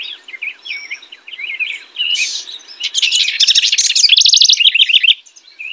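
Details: House wren song building from scattered soft chirps into a loud, fast bubbling cascade of trilled notes, ending in a series of repeated rising-falling warbles.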